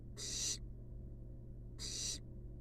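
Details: Two harsh, noisy hissing screeches from wild barn owl nestlings in a nest box, each about half a second long and separated by a pause, over a constant low electrical hum.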